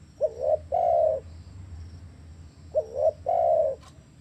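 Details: Spotted dove cooing, played to prompt captive doves that have stopped calling; two phrases, each a short clipped coo followed by a longer drawn-out rolling coo, with a low steady hum beneath.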